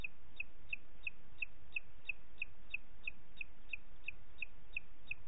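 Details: Booted eagle with chicks in Parc Natural dels Ports at 20:30 on 29 June 2021 gives a long series of short, high, clipped notes, about three per second, steady in pitch, over a constant low rumble.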